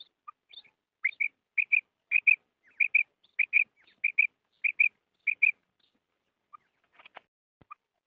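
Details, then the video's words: A female quail gives soft, high paired chirps repeated about every half second for several seconds, then trailing off; a call used in quail hunting. "PFemale Quail Sound / Budana Sayrashi / مادی بٹیر کی آواز"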